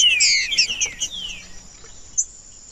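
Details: Green-winged saltator singing in a recording meant to stimulate other birds: a quick run of clear whistled notes sliding downward, fading after about a second, with a steady high thin tone running underneath.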